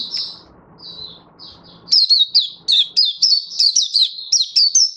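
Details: Oriental white-eye, a hobby cage bird, in song display on 24 February 2023: a few quiet high twitters, then from two seconds a rapid run of loud, sharp, high chirping notes, several per second.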